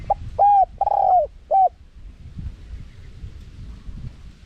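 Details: Spotted dove calling in 'karom pa' wild cadence with 'khat' and 'nun' notes, small voice, intended for luring wild doves. A quick four-part phrase at the start: tiny note, two full mellow coos, short end coo, then quiet low hum.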